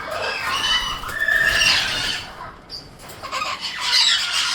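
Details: Young Amazon parrots letting out rapid, shrill squealing and rasping calls, a dense loud run that eases and then picks up again.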